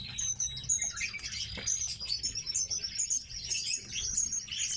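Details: Captive tits call with repeated high, clipped tweets and a thin continuous trill, accompanied by a single click and soft rustling.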